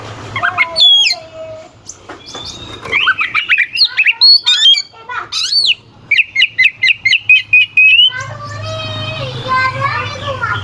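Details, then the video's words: Oriental magpie-robin song used to provoke competing birds: varied loud whistles and harsh squawks, a fast string of repeated clipped notes, then a wavering, churring passage, all over a low hum. "Suara kacer gacor NGEPLAY KONSLET pancingan kacer ampuh bikin lawan ikut EMOSI"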